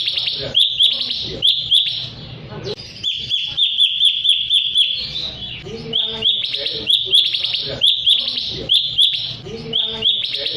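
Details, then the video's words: Sooty-headed bulbul song used to provoke rival birds into singing: bright bubbling whistled phrases repeated over and over against a steady background hum. "pacingan suara burung Cucak Cungkok Ampuh bikin Lawan langsung ikut buNyi"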